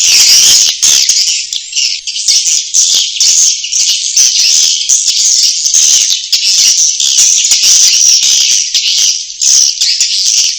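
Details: Swiftlets' roosting call for attraction: loud, dense, continuous high twittering and crackling chatter, many quick clicks blending into a shimmering buzz without pause.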